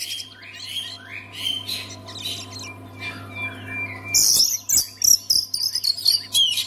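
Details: Oriental magpie-robin, a kept songbird, sung to stir silent magpie-robins into song: soft varied whistles and slurred notes, then from about four seconds a loud burst of rapid, harsh, high chattering phrases over a steady low electrical hum.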